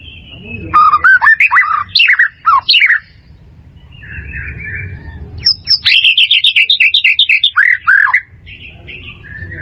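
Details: White-rumped shama used for tutoring caged birds: a varied song of slurred whistles and quick chattering notes, then a fast run of descending whistled notes, over a low background rumble.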